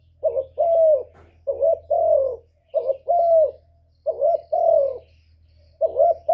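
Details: Spotted dove decoy calling to provoke wild birds. Repeated low paired coos, a brief note then a longer warbling one, over a steady low hum.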